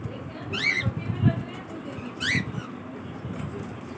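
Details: Morning calls from a cockatiel: two strong rising-then-falling whistled notes roughly a second and a half apart, with ringing overtones, plus a couple of soft low thumps and a constant background rumble.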